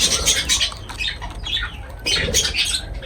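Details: Two loud bursts of harsh, high lovebird squawking while feeding, separated by a short quieter gap, over a low background rumble.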